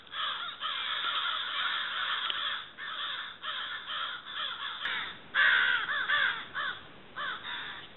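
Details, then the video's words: Many crows in October giving rough, grating caws in overlapping bursts. The calls come in uneven clusters with short dips between them, and a louder, nearer caw stands out partway through. "Crows in October"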